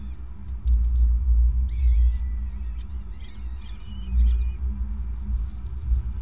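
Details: Peregrine falcons during a prey transfer by the male on a nest grating, evening of 5 May 2019; a tight cluster of chattering, wavering wail notes in the middle, then quieter, under a loud low-pitched droning rumble.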